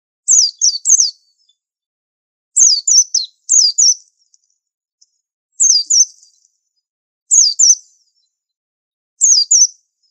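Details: White-eye used as a master bird for training, singing six short bursts of thin, very high, quickly falling whistled notes, two to four notes per burst, roughly one to two seconds apart, with no other sounds.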